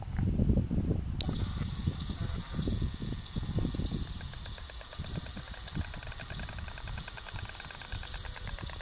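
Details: White stork pair in nest in March at a church in Oltingue, France, dancing and clattering beaks: a fast, dry, wooden rattle of rapid clicks, with low wind rumble underneath, heaviest at the start.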